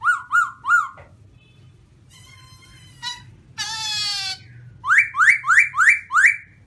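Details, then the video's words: White-cheeked black-throated laughingthrush singing: loud, clear whistled notes rising in quick series of three, then a rippling trill and a buzzy rattle, ending with five emphatic rising whistles repeated about every third of a second. "Garrulax chinensis white cheek singing"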